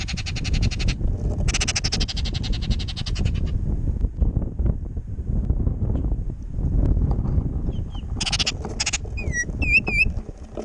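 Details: Baltimore orioles fighting over jelly at a backyard feeder on a windy day bicker in harsh, rattling chatters, then give a few short whistled notes, over a steady low wind rumble.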